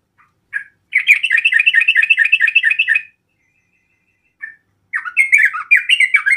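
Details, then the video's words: Sooty-headed bulbul song used to provoke rival bulbuls into answering: fast, repeated chattering notes in a bouncing pattern, one burst of about two seconds, then a short note and a second, rising-and-falling phrase. "TRUCUKAN manapun langsung Nyaut emosi"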